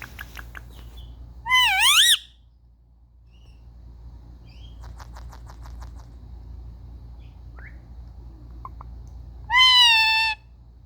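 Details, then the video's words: Playful pet Indian ringneck parrots, captured on a phone: two loud, nasal, wavering squawks about eight seconds apart. Quiet clicks and rustles fill the gap between them. "Indian Ringneck Parrots playing"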